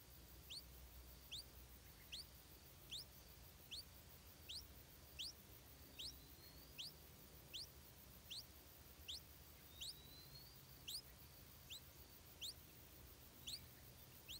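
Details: Hungry stripe-throated bulbul chick begging while fed insects by its mother, giving a long, insistent run of short rising squeaks, more than one per second, with a brief thin whistle partway through.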